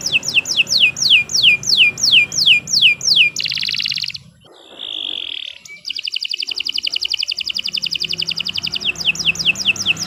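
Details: Singing canary: a series of loud down-slurred whistles, a short buzzy burst, a steady high whistle after a brief pause, then a fast rolling trill closing into more down-slurs.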